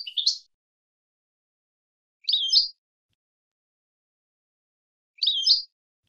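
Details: A wild European goldfinch from the 2022 season, recorded as tutor song for young goldfinches, gives three brief, high, tinkling twittered phrases, each under half a second and about three seconds apart, with silence between.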